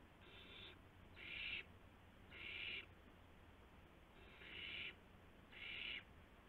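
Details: Owlets at a nest after midnight on March 19, 2016, during four prey deliveries of mice and a gopher; five loud, harsh hissing screeches of about half a second each, repeated at roughly one-second intervals with a brief pause.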